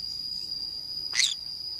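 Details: Green-cheeked conure parrot playing alone in the forest, uttering a single short, harsh, slightly downward squawk amid a steady high insect-like drone.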